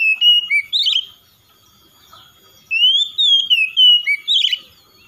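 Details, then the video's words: Song of an oriental magpie-robin (kacer) meant to draw a quiet bird into singing: two bouts of loud whistled and slurred notes with a buzzy trill, separated by a quiet pause of over a second. "SEKALI MENDENGAR SECEPATNYA KACER MALAS BUNYI RESPON IKUTAN GACOR"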